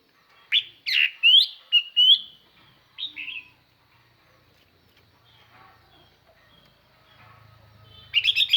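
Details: Chinese hwamei used as a decoy, singing to lure wild hwamei with a clear, far-carrying song: a burst of loud slurred whistled notes and rising sweeps for three seconds, one later phrase, near quiet, then a fresh loud run at the end.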